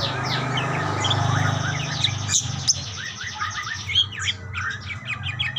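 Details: Budgerigars calling back and forth: busy overlapping warbles and chirps high up, with a steady low hum running underneath through the first half.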